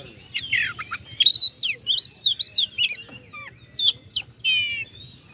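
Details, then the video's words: Oriental magpie-robin provoking song for rivals: a burst of warbled whistles and looping phrases, a few descending notes, then a rapid buzzy trill near the end. "pancingan kacer agar respo gacor.. kacer ini mampu meningkatkan emosi lawan"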